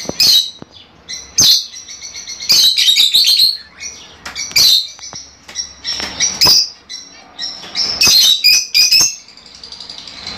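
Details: Fischer's lovebird chirping used to stimulate pairing and mating in kept birds: high, piercing, stacked-harmonic chirps in quick clusters, with short pauses between loud bursts and fast trilled runs, and no other clear sounds.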